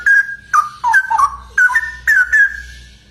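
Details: Straw-headed bulbul delivering loud, mellow whistled phrases with sliding, bubbling notes in clusters about half a second apart, ropel style, strong and continuous over a low hum.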